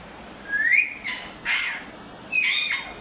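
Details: Parrot sounds: a loud upward-sliding whistle followed by three harsh, broad squawks spaced about a second apart.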